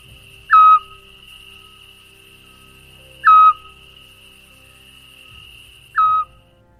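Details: Eurasian scops owl giving its soft, flute-like whistled note, repeated evenly about every two and a half seconds over a faint steady hum; a familiar sound of summer nights in Spain.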